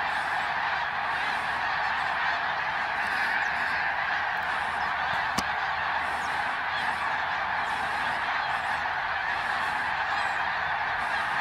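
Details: A huge flock of greater snow geese passes over Ottawa, Canada, during autumn 2021 migration. Countless honks merge into a continuous roaring chorus, with one sharp click partway through.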